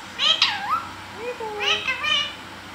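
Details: A green pet parrot gives quick, squeaky, chattering calls that rise and fall sharply, several slurred syllables packed into under three seconds.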